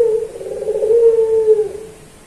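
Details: Cage-kept puter pelung Barbary dove, recorded to train other birds. A low, purring coo continues steadily for nearly two seconds, then drops away and fades into quiet.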